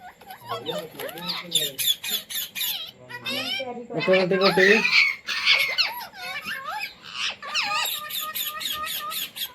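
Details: Talking Indian Ringneck parrot, a pet taught to speak words like "mummy" and "roti roti": rapid run of wavering, voice-like syllables and bent whistles, with buzzy squawks and busy chattering throughout.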